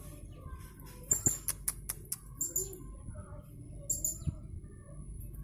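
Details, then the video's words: Caged blue-crowned hanging parrot in an online singing contest, Jungkat, West Kalimantan: pairs of shrill high squeaks mixed with clicks and knocks, plus faint lower chirping sounds in the background. "LOMBA SERINDIT ONLINE 2 - Aksi Serindit"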